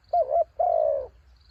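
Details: One full phrase from a spotted dove used as a decoy in strong wind: a brief wavering two-part coo, then a long, steady, slightly falling purring coo.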